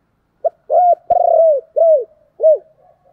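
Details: Spotted dove kept as a decoy, calling with urging coos: a brief clipped note, an arched coo, a long purring trill-like coo, then two falling mellow coos, with a single sharp click in an otherwise quiet recording.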